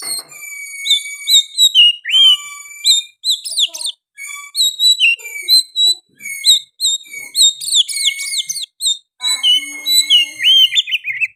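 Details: Oriental magpie-robin singing steadily, with sooty-headed bulbul phrases inserted: long level whistles alternating with quick upward sweeps and chattering bursts, phrases repeated with short breaks over about eleven seconds.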